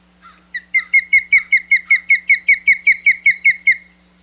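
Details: Osprey at a Hog Island nest on 27 May 2020, giving a steady string of about sixteen bright whistled chirps, evenly spaced roughly four per second, over a constant low electrical hum.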